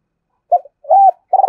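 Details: Decoy spotted dove calling to draw wild doves. A brief soft coo and one arched hooted note are followed by the start of a rolling, vibrating coo that is cut off.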